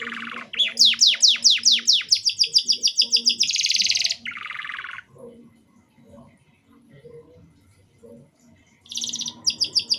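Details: Canary song in short broken bursts, used to prompt young canaries to start singing: rapid repeated high sweeping notes, a buzzy rattle, then a pause and another fast high trill, faint low murmur beneath.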